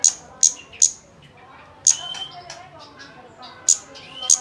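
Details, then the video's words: High, sharp kemade ticks used as a lure to make a bird sing. Three quick notes open, then a pause, then scattered clicks with a brief lower whistle between them. "Pancingan kemade bahan agar cepat bunyi"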